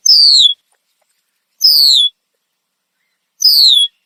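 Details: Red-winged blackbird in a tree in Southern Ontario, Canada, giving loud alarm calls. A clear, slurred whistle drops steadily in pitch, repeated three times at intervals of about 1.7 seconds, with faint background rustle.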